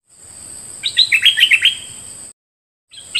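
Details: A bulbul kept as a decoy bird, one of three, sings a rapid, bubbling phrase of falling whistled notes against a high steady tone, then the sound cuts out briefly.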